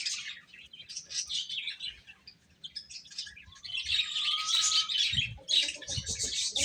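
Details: Baby chickens chirping while they eat: a dense flock of shrill, high peeps overlapping in rapid bursts, with a brief lower drawn-out note near the middle and soft knocking from pecking below.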